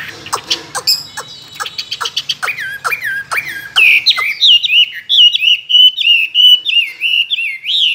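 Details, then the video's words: Caged tame Chinese hwamei, two years in a cage and singing many wild calls, starts with sharp dry clicks and harsh chips, then breaks into a steady string of mellow whistled phrases repeated roughly every half second. "Họa mi thuần nhiều giọng rừng,chim đấu hót tốt"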